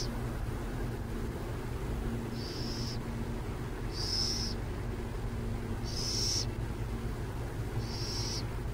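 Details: Near San Jose, a burrowing owl gives five high, hissing, screechy bursts, each about half a second long and spaced roughly two seconds apart, over a steady low rumble like distant traffic.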